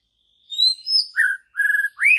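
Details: Wild forest white-rumped shama singing pure high whistles that rise, then lower fluttering notes and a quick trill, closing on a sharp upward slur.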